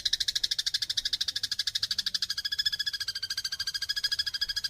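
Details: Rapid harsh chatter of house sparrows in a fight, used for training songbirds: scratchy chirps repeated very quickly and evenly, about ten each second, forming one continuous rattling sequence.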